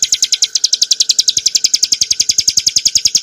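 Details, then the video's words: Hill prinia song, clear and sustained, used for training cage birds: a steady run of sharp high chips, about three and a half per second, with no pause and a faint steady hum beneath. "kicauan burung ciblek gurun untuk masteran & pancingan - suara jernih ngebren nembak"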